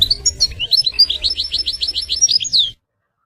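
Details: Goldfinch singing in nature: a fast string of ringing, repeated notes with quick up-and-down slurs, ending on a sweeping whistle, over faint low rumble.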